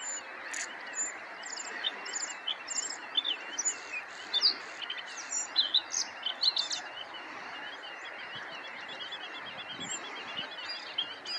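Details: Bluethroat song of varied high twitters, clicks and thin whistled notes strung together in rapid, irregular phrases, fairly distant and set against a constant broad rushing background noise.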